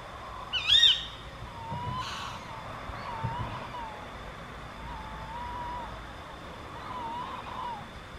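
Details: Female tawny owl calling at night near Gythio in the Peloponnese, Greece, gives two sharp, shrill calls, the first loud and the second fainter, over a steady high whine and quiet night background.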